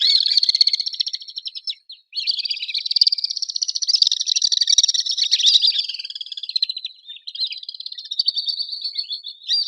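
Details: Swifts calling in a long, high, rapidly pulsed buzzing trill that runs for several seconds, breaks briefly, then resumes in shorter bursts, with no other sounds.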